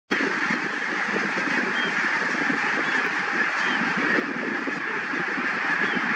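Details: A large flock of greater white-fronted geese at Tiskre beach, Tallinn, Harju County, Estonia, gives a constant, overlapping babble of high, yelping honks with no pauses.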